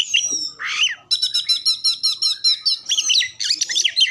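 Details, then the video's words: Oriental magpie-robin song used to prompt other birds, with imitations of other species: a falling whistle and a rough phrase, then a long, rapid series of crisp, high, ringing repeated notes and a jumbled finish. "pancingan Kacer terbaru 2022 ampuh langsung nyaut gacor buka ekor"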